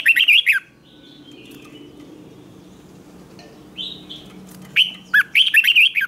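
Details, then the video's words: Red-whiskered bulbul in competitive song, for training: a short bright warble, a long quiet stretch with a low hum and faint notes, then a rising whistle and a fresh burst of rapid chirping phrases. "Chào Mào Hót Đấu"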